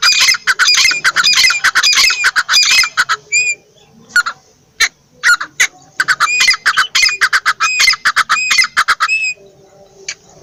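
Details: Teeter, the partridge, in loud scratchy squawking series: a dense burst, a near-silent gap with scattered clicks, then another run of harsh rising notes. It trails off into faint, low squeaks.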